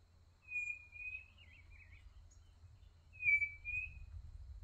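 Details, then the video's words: Quail singing at a rural smallholding in Brazil: two clear high whistled phrases, the first wavering and drifting downward, the second steadier, with faint low rumble underneath. "Escutando a Codorna Cantar"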